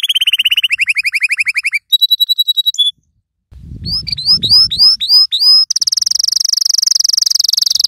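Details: Yellow canary song used to train young canaries: a falling rapid trill, a flat pure-toned roll, a gap with low thumping, hooked whistled notes, then a fast high buzzy trill.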